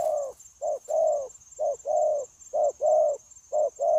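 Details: Spotted dove, newly caught from the wild and used in trapping, January 2024, keeping up its low cooing: rhythmic pairs of a clipped note and a longer hollow coo, about four phrases in four seconds, thin steady whine behind.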